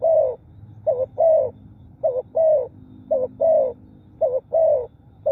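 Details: Cooing of a spotted dove, used to lure wild birds: mellow low coos in paired phrases of a quick note then a longer wavering one, repeated steadily four times, over a quiet low rumble.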